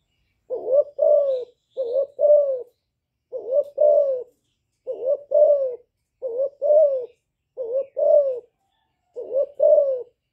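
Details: Young spotted dove calling in the hạp bổi voice style, mixed with bowing coos, a decoy bird used to rouse wild doves; eight paired low coos, each a short dip then a longer falling note, repeated about every 1.3 seconds.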